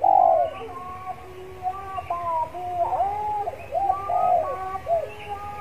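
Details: Spotted dove kept as a decoy bird, cooing in a yard while warming up before singing: a series of soft, hollow, arched coos repeated with short gaps, with fainter coos from other doves behind.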